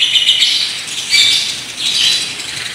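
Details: Pastel lovebird with a long, unique trilling song: a loud, continuous high buzzy chatter in three swelling waves without a break.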